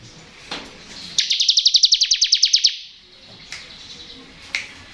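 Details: Bar-winged prinia singing in the ngebren style, used to lure untrained and lazy birds into song: one rapid burst of about fourteen high, buzzy, evenly pulsed notes lasting a second and a half, with faint chirps before and after.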